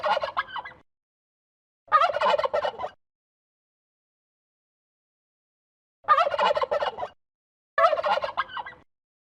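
A turkey gobbles four times, each a rapid, throaty rattling burst about a second long, two close together, a pause, then two more.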